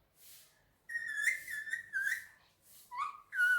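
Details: Male Indian ringneck parakeet kept as a pet, perched on a table indoors, gives clear whistled notes near one pitch, rising and falling, in several short bursts with brief pauses.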